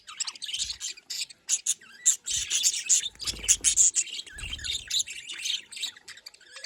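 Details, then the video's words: Budgerigars from Larkana, Sindh, kept for breeding, give busy high chirps and squeaky warbles in uneven bursts, with short gaps and a few low thumps between calls. "Parrot talking sounds || parrot calling sound"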